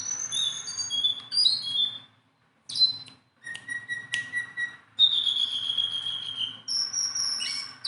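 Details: Tame Sunda bulbul producing high clear whistles, a long falling whistled note and scattered sharp chirps, in phrases broken by silent gaps.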